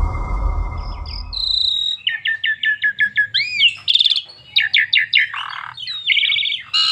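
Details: Asian pied starling in full song, used as a lure to get other starlings singing; a low rumble fades, then quick runs of sharp repeated chirps, upswept whistles and a scratchy burst follow one another without pause.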